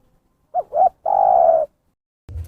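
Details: Zebra dove, a lively bird recorded as trapping lure: two short coos and then one long rolling coo, followed by a brief low bump of handling noise.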